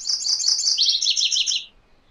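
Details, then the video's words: MacGillivray's warbler singing a brief two-part song: about five rapid, high, clipped notes, then a slightly lower series of four or five similar notes, ending abruptly after under two seconds in a quiet background. "MacGillivray's Warbler Song ! MacGillivray's Warbler Sounds ! MacGillivray's Warbler Call"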